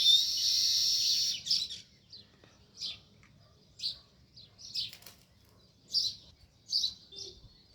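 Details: Sparrow near its nest in a village: a loud burst of chatter at the start, then short separate high chirps spaced about a second apart, with a quiet low background.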